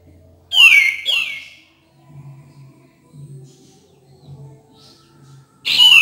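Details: Cream-vented bulbul song for stimulating birds that seldom sing: two loud, sharp, descending whistled calls in quick succession, a quieter stretch with a faint low hum, and a final sharp call.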